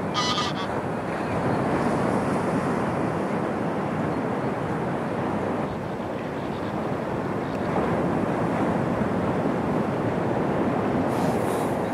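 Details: Steady roar of wind and surf with no clear animal calls.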